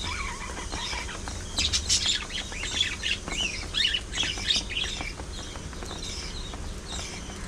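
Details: Budgerigars singing and chattering together: dense bursts of squeaky, buzzy twittering and short rising whistles, loudest in the middle, after a lower warbled phrase at the start.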